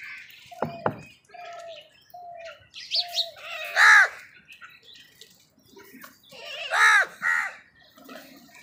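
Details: Crows competing with other wild birds for food; two loud, harsh, arched caws with rich harmonics stand out about three seconds apart, among soft steady whistles and short chirps from other birds.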